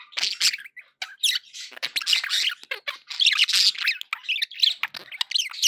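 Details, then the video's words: Several pet budgerigars chattering nearly nonstop, dense harsh squawks mixed with bubbly warbles, loud and overlapping throughout. "budgie sounds"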